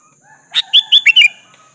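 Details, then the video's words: One brisk phrase from a sooty-headed bulbul singing to challenge a rival: five rapid, rich whistled notes, the last ones dropping slightly, over a faint high whine. "Suara burung kutilang gacor memanggil lawan pancingan kutilang agar nyaut"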